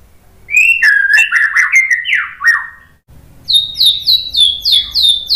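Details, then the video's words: White-rumped shama song used to provoke other birds into answering: loud falling whistled phrases first, then a quick series of sharp high repeated notes, with a low hum behind. "MASTERAN MURAI BATU biar EMOSI NYAUT jadi GACOR"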